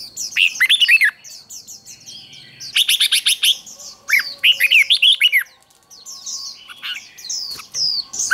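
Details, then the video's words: Red-whiskered bulbul contest-style fighting song used for training birds to sing competitively: bursts of loud, rapid, sharply rising and falling whistled notes in phrases of about a second, separated by short pauses, with softer twittering between. "Chào mào hót đấu"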